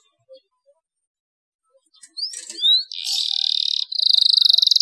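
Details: After two quiet seconds, a canary bursts into song meant to stimulate other canaries to sing: a few bright upslurred chirps, then a dense buzzy trill and fast steady pulsing.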